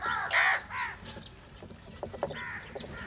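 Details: Crow fighting over food in the morning while eating cheese and butter; two loud harsh caws near the start, then fainter short calls and clicks in the background.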